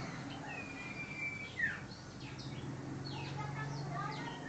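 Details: Common iora song: a drawn-out level whistle that drops into a sharp downward slur, followed by scattered shorter chirps and a low hum underneath.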